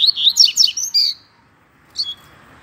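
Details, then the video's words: Double-collared seedeater in a singing dispute between two caged birds: a fast burst of high, sharply modulated twittering notes lasting about a second, silence, then a brief final chirp. "Coleiro Disputa de Canto"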